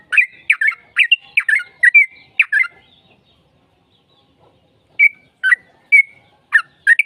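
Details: Bubbly, chirping sooty-headed bulbul song used to provoke a reply: a rapid run of notes, a two-second silence, then a looser series of single notes.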